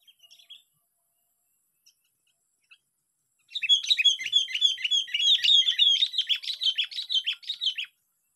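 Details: Sooty-headed bulbul at a park on the sixth day of a bird-trapping session with a lure. After three quiet seconds comes a dense four-second burst of rapid, high, scratchy chattering notes packed closely together. Nothing else is heard.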